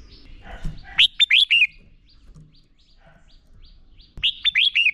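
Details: Fighting song of a red-whiskered bulbul used in training: a quick phrase of loud, sharply descending whistled notes, a pause with faint soft sounds, then the same falling phrase repeated.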